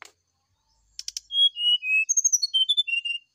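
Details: Morning song of a brown-chested jungle flycatcher, used as a lure to provoke a reply: a few dry clicks, then a long run of pure whistled notes stepping up and down, ending in quick repeated twittering pairs.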